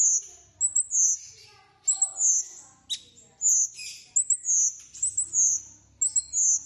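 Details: Close bulbul song of sharp, very high whistles and short slurred notes in quick succession, nearly one phrase a second, with faint low murmur in the background.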